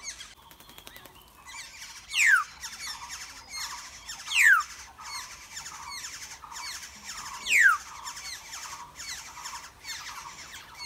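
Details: Young black-hooded orioles in a wild nest being fed produce a continuous chatter of rapid buzzy notes, broken by three loud, sharp, falling whistle-like sweeps.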